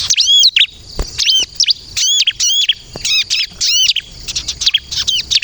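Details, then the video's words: Bar-winged prinia (ciblek kristal) song for luring birds and making them answer: repeated high, arched whistled notes in short phrases roughly once a second, interspersed with quick chirps. "suara burung ciblek kristal gacor untuk pikat dan pancingan ciblek bahan agar bunyi nyaut"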